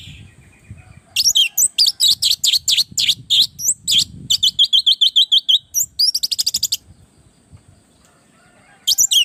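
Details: Lively orange-headed thrush song meant to train and provoke other birds: a long, fast run of sharp, high chirped notes, several each second, with some twisting whistled phrases, then a pause and a final short burst.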